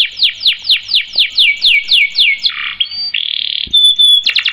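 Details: Canary singing energetically with long rolls: a fast run of descending whistled sweeps about four a second, then a buzzy low roll, a steady trill and a thin high whistle, ending in quick sweeps.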